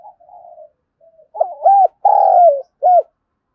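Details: Wild-dove lure song of a spotted dove: soft low murmurs lead into one clear phrase of stuttered notes, a long tremulous coo and a short closing coo.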